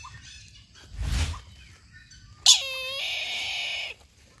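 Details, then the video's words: Brahminy kite giving a drawn-out, nasal squealing call of about one and a half seconds. It opens with a sharp downward slide, then holds a steady, buzzy tone before cutting off. A brief rushing noise comes earlier. "Brahminy Kite | ខ្លែងឆាបពណ៌លៀងក្រម៉ៅ"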